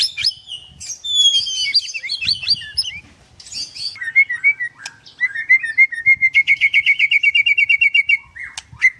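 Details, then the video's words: White-rumped shama at a bird farm in Kendal, Indonesia; rich song of high whistled slurs and sweeps, then a fast steady trill of repeated notes, loud and clear. "Murai batu nembak sebelah mati"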